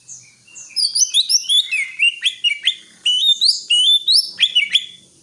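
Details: Greater green leafbird pouring out a continuous, varied song of twittering chirps and upward-sweeping whistles, steadily rising and falling in pitch without pause.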